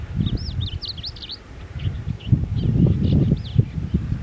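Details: Malabar lark (Galerida malabarica), call.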